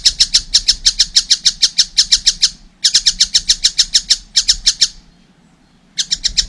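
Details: Harsh repeated chattering from a young collared kingfisher, delivered in bursts of a dozen or so notes with silent gaps between them.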